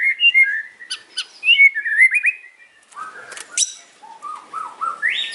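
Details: White-rumped shama in the afternoon, a varied song of short warbled whistles around mid pitch, sharp high clicks, a scratchy middle part and rising whistled notes at the end.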